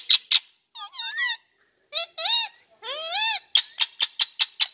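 A rose-ringed parakeet talks in a high, squeaky, speech-like voice, with several warbled word phrases and then a run of sharp clicky chirps.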